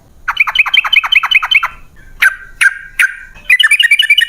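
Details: Sooty-headed bulbul lure for caged birds, ropel panjang style: a quick series of dropping, chattering notes, three separated sharp calls, then a rapid bubbly burst of higher notes.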